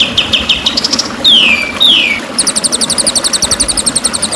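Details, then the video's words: White-rumped shama master training recording meant to teach caged shamas varied, long song with dense bursts: rapid high chipping notes, two loud whistled notes sliding downward, then a fast run of repeated high trilled chips. "Kunci Burung Murai Juara"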